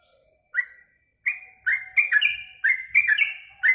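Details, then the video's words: Caged yellow-vented bulbul singing after eating mealworms: bubbly, liquid phrases of two or three quick notes, dropping and rising, repeated in short bursts after an opening single note and pause. "Habis makan ulat hongkong burung trucuk ini jadi gacor"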